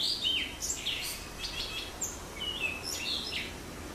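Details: Blue rock thrush song: bright whistled notes, a falling slur followed by short warbled phrases and a level whistle, set against constant low environmental noise.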